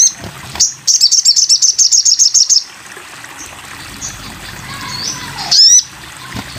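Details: Sogon bird heard on a masteran recording: a rapid even trill of high bright notes lasting over a second, then quiet, then a single loud rising sweep.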